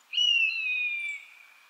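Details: An Eastern buzzard gives a single drawn-out, high mewing whistle that slides slowly downward over about a second and fades out, with no other sounds; recorded 23 January 2011 in Shioya, Tochigi, Japan.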